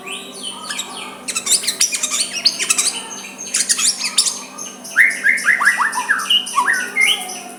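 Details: White-rumped shama in soft song aimed at provoking a rival to answer, starting with dense rapid high chattering and clicking notes, then a run of repeated rising whistled slurs, with a low hum behind.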